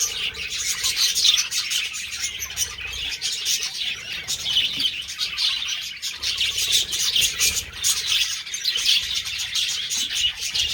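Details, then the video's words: Budgerigars chirp and warble continuously in a dense, high-pitched chorus during mating, with many overlapping short notes. "Budgies parrot Mating"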